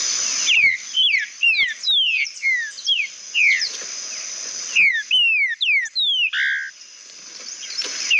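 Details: Green-winged saltator song used to warm up other birds: a string of clear whistled notes, each sliding sharply downward, delivered in quick uneven succession over a steady high-pitched hiss in the background.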